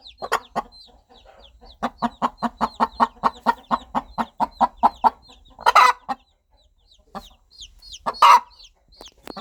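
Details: A mother hen calling her chicks gives a regular train of soft clucks, then two harsh loud squawks with sparse clucks; faint chick peeps are heard throughout.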